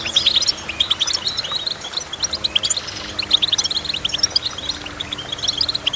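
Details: Goldfinch chirping in a busy, tinkling stream of short high notes and twittered phrases, loud bursts alternating with brief quieter gaps, over faint low background hum.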